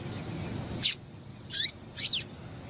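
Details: Calling female double-collared seedeater, used to stimulate males, gives three high notes in under two seconds: a sharp click-like chip, then two longer slurred notes sweeping downward, over low hiss.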